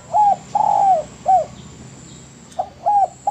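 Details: Spotted dove in a master recording for training birds: low cooing phrase of a short coo, a long drawn falling coo and a clipped coo, then a pause and the phrase again, over faint background hum.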